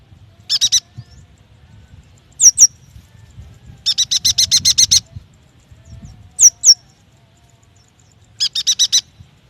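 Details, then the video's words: Yuhina song used as a lure to prompt young, newly caught or silent birds to start singing: high, rapid buzzy bursts of clipped notes alternate with paired sharp, high downslurred whistles, with a faint low rumble beneath. "AMPUH untuk memancing bunyi burung yuhina bakalan, muda dan malas bunyi"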